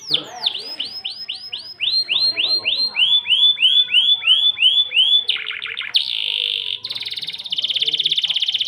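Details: Canary singing in the Indonesian cengkok mewah song style; a run of swooping, downward-curving whistled notes repeated rapidly for several seconds, then a buzzy phrase and a fast, rattling high trill.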